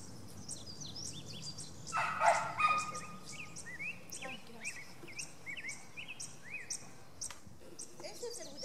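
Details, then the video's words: Yellow tanager giving quick, thin upslurred chips, several per second, over a steady background hiss with a brief louder burst of noise early on. "Yellow Tanager"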